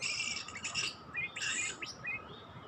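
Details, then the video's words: Oriental magpie-robin (kacer) sound used to lure birds: dense raspy broadband notes, then a few upward-slurred whistles and a buzzy burst, over a constant low hum. "Mikat Kacer"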